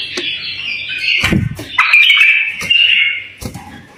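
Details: A tame bulbul sings near-continuous, slurred, high warbling meant to set other bulbuls singing, broken by a low thump and several sharp clicks.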